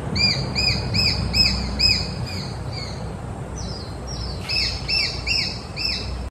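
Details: Juvenile Japanese sparrowhawk calling: a quick run of about six short, arched, ringing notes, a brief lull with fainter notes, then a second burst of similar sharp repeated notes near the end, over low steady background rumble.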